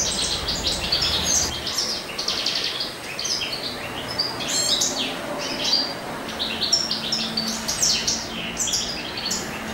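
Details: European goldfinch, a male, singing in spring while courting: a continuous, rapid stream of high, liquid twitters, trills and buzzy chirps in quick bursts, with a quiet low hum below.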